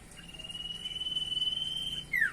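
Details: Common iora, known locally as cipoh, sings one long pure whistle held steady for about two seconds, then a short falling slurred note.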